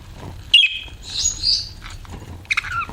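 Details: Pet budgerigars chirping: a short bright chirp, then a fuller warbled phrase around the middle and a cluster of sharp chips near the end, with low background rumble.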